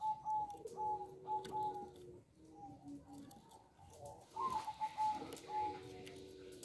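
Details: Small-voiced local zebra dove singing freely, giving bursts of short, even, mid-pitched coos repeated about twice a second, over a softer lower cooing line and faint room noise.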